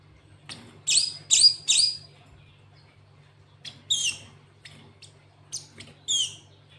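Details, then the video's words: Cinereous tit singing a song filled with canary-style phrases: a quick run of three harsh, buzzy high chirps, then scattered single and paired rasping notes after a pause, over a steady low electrical hum. "Burung gLatek watu full isian kenari"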